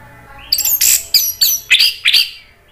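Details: Orange-headed thrush song from Indonesia, meant to provoke other thrushes into answering: a rapid series of six loud, harsh, high phrases, each a downslurred rasping note, delivered in quick succession over about two seconds.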